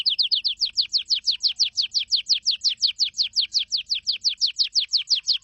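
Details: A canary sings a long, fast roll of identical high, downward-slurred whistled notes, about six each second, steady and unbroken throughout against a quiet background.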